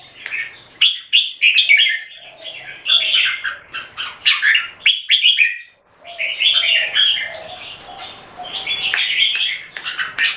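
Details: Singapore-kept red-whiskered bulbuls in a singing competition: rapid, jumbled chirps and whistled warbles in overlapping bursts, a short lull near the middle, then sustained chattering song.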